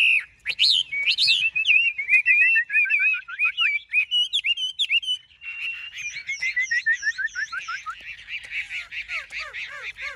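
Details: Caged Chinese hwamei of large build, kept for sale in Vietnam, pouring out rich whistled song: looping slurred notes, a falling series of quick whistles, then a rapid rhythmic run of repeated notes.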